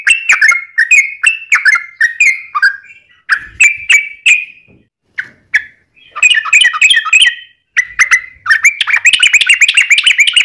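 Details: Sooty-headed bulbul song meant as a lure for other bulbuls: bursts of bubbly, gurgling notes in quick phrases separated by short pauses, ending in a denser chattering run.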